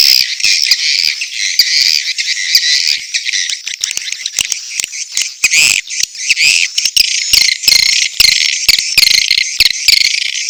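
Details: Chattering mating calls of edible-nest swiftlets with chicks calling too: a constant high rasping twitter, growing choppier in the second half with frequent clicks roughly once a second.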